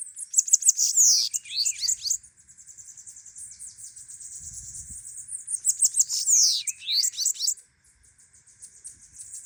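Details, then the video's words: Bananaquit singing heavily: two loud, explosive bursts of rapid high buzzy and hissing notes, joined by a long stretch of thin, very high continuous chattering. "Sibite Gto cantando muito"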